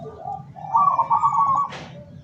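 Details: Local zebra dove kept for luring wild doves, recorded 17 August 2023: a soft low lead-in note followed by one sustained, rapidly pulsing trilled coo, ending in a short hissing noise burst.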